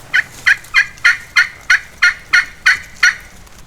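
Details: An Osceola wild turkey gobbler in South Florida timber, late morning during a hunt, gobbles in a run of about ten loud, rattling notes, roughly three per second, fairly even in pitch; no other sounds stand out.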